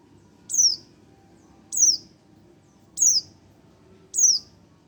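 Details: Four high, thin, falling notes spaced about every 1.2 seconds from a one-month-old Oriental white-eye, steady and clear above a quiet low rumble.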